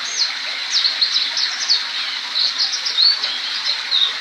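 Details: Young black-throated canary learning to roll, singing a fast, high twittering song of thin chirps and quick rising slurs that run on without pause. Faint background hiss.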